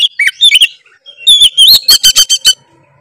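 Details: Oriental magpie-robin in gacor ngeplong song, said to work other magpie-robins up: a few sweet whistled notes, then a rapid ringing series of sharp, repeated chirps.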